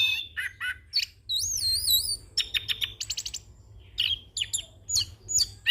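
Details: Young orange-headed thrush in continuous rolling song with many mimicked fill-in phrases, used to train and lure birds: quick slurred notes, a long wavy whistled trill, a rapid buzzy rattle, then sharp high chips.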